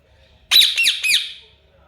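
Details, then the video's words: Pet rose-ringed parakeet (ringneck) talking while dancing: three quick, harsh, buzzy, high-pitched syllables run together in under a second, with a quiet room background. "Ringneck talking parrot"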